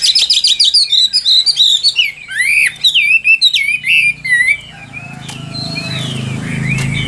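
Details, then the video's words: Chinese hwamei ('Tam Hoàng' type), a traded bird, opening with a fast burst of high staccato notes, then looping whistled slurs, fading into a noisy background with faint distant twitters. "Họa Mi Tam Hoàng Miệng Mỏ Như Máy Khâu, Điện Đóm Căng Hót Hét Bài Bản"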